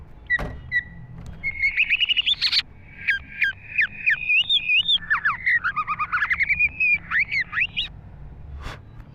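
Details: Green leafbird in lively, full-content singing, a recording meant to train caged songbirds: a quick, varied stream of clear whistles, rising and falling slurs and chattered notes with brief pauses, and sharp clicks near the start and end.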